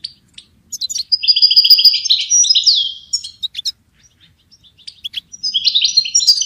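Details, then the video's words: Extended bright goldfinch warbling with rapid trills and a sliding note, a pause of scattered clicks, then another vigorous twittering phrase. "Goldfinch ringtones for hunting and high motivation"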